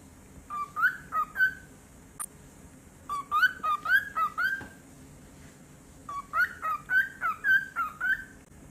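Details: Cockatiel kept as a pet, guarding its toys, calling in three bursts of sharp, upslurred chirps, each burst of four to six notes, separated by brief pauses, with one faint click between.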